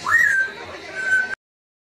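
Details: Grey parrot, recorded 6 April 2013 while making a mess on the couch and trying to dig under a cushion, gives a clear, mid-pitched whistle that rises quickly, holds level about a second, then stops abruptly.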